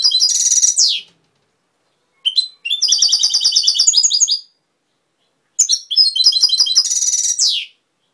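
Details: A European goldfinch sings three fast, twittering bursts, some closing with a downward-sliding note, with short silences in between.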